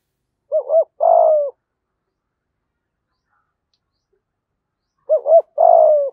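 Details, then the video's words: Spotted dove kept as a decoy, 'giọng thổ' song style: two identical phrases about four and a half seconds apart, each a short wavering double note then one sustained mellow coo, with silence between. "Chim Cu Mồi Giọng Hay/ cu gáy giọng thổ đủ bài"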